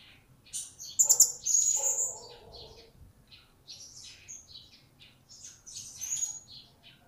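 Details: Blue-crowned hanging parrot, new to its keeper and beginning to sing, utters rapid high shrill chirps with a brief harsher, lower rasp, then more scattered squeaky notes.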